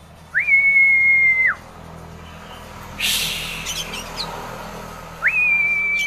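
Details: Caged Oriental magpie-robin, a prospect bird from Kisaran, sings two long, clear, level whistles that rise sharply at the start and fall at the end, separated by a brief harsh rasping burst and soft twitters.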